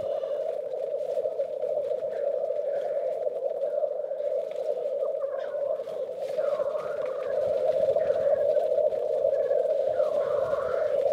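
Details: Black grouse males at a spring lek in Västmanland, Sweden, competing, keep up an unbroken, low bubbling rookoo chorus, with occasional hissing sneezes and faint higher calls from other birds.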